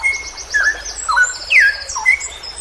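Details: A straw-headed bulbul, recorded as a training song for hobby birds, gives a few clear slurred whistles, one sweeping down sharply, over a high buzzy trill from another bird.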